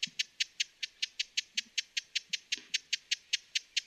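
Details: Evenly paced sharp clicks from a broad-billed hummingbird, around four to five per second, dry and high-pitched, with faint low sounds beneath.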